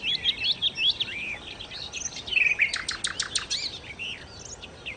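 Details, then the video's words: Sikatan londo, the nightingale, pouring out rich song: quick looping whistled notes, a short buzzy phrase, then a fast rattle of sharp high clicks and fading twitters. "kicau Sikata Londo( Nightingale Birds )-Kicau Burung"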